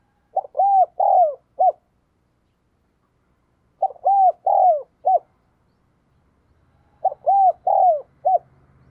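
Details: Decoy spotted dove urging and cooing to call wild doves: the same four-note phrase, short note, two long arched coos, short closing note, repeated three times about three seconds apart, with a faint low hum late.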